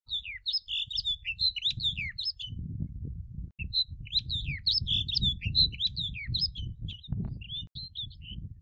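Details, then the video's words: Snow bunting singing: quick varied phrases of clear whistles and short warbled notes, some sliding down, in two bursts with a pause near the middle, over a low steady rumble of wind. "Как поёт пуночка? Овсянка пуночка пение Snow bunting song (Plectrophenax nivalis)"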